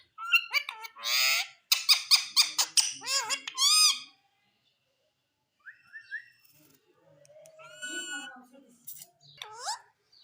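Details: Indian green ringneck parrot talking: a dense burst of harsh, rapid squawking syllables for about four seconds, a pause, then softer word-like phrases and a final rising squawk.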